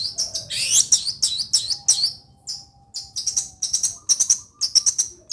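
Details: Long-tailed shrike from Situbondo giving a loud, busy song of rapid chirps, sharp high notes and chattering bursts in quick clusters, with short pauses, and a faint low tone beneath.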